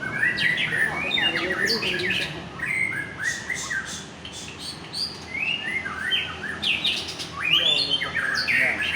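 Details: White-rumped shama of the Aceh type, described as a fighter bird in full form, singing a rich, varied run of clear whistled phrases and quick trills that rise and fall, broken by short pauses, with a faint steady hiss behind.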